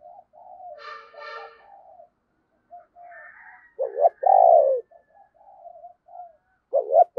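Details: Decoy spotted dove calling to lure wild doves: soft low murmurs, then a loud two-part coo near four seconds with a rising stutter into a long falling note, another coo starting at the end, and faint higher buzzy sounds early on.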